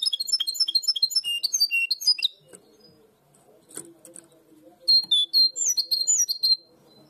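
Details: A European goldfinch hybrid in Barcelona, singing a blue tit-like song, gives fast, high, tinkling twitters in two bursts of about two seconds each, with a faint low murmur between them.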